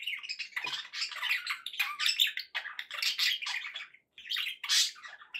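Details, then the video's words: Pet budgerigars keep up a lively warbling chatter of scratchy chirps and squeaks, with a brief silence just after four seconds before the calling resumes. "budgie sounds for pet parakeets to make tham happy"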